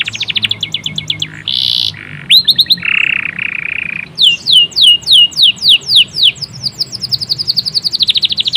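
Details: Local-type canary singing a varied, energetic song: rapid repeated high trills, buzzy harsh notes near the middle, then fast series of downward-sweeping whistled notes speeding into a dense rolling trill, all bright and high-pitched.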